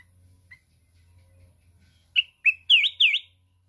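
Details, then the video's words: Contest-singing mountain red-whiskered bulbul with steady wing-flapping; after a lone chirp come two short whistles and a pair of loud looping, down-up whistled notes. "Chào mào núi hót cực xung, đập cánh liên tục"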